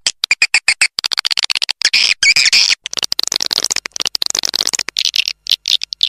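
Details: Roost-attracting swiftlet chatter: short, crisp high chirps in fast irregular runs, thickening into dense buzzy twitter bursts and then thinning again into separate notes.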